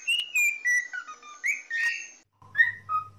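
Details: Pet cockatiel singing, recorded for song training: a string of clear whistles that slide downward, then a brief pause and two more whistled notes over a low steady hum.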